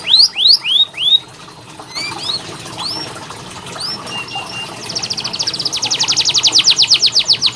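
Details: Canary singing a training song for quiet birds: a few loud falling whistles, softer scattered chirps and a long flat note, then a building rolling trill that grows louder and faster toward the end.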